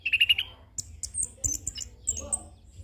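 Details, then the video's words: Orange-headed thrush, young bird, in a song used for training and luring: a quick run of four or five even chirps, then scattered very high thin whistled notes. "Anis Kembang Ngeroll Full isian - Masteran dan Pancingan Burung Anis Kembang Muda"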